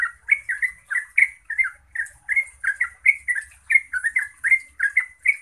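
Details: Bubbly chattering song of a yellow-vented bulbul, played to stir other bulbuls into replying and singing; short slurred notes come in a brisk, even series for five seconds.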